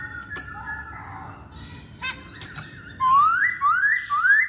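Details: Masked laughingthrush lure song: soft whistles and clicks, then three loud rising whistled notes.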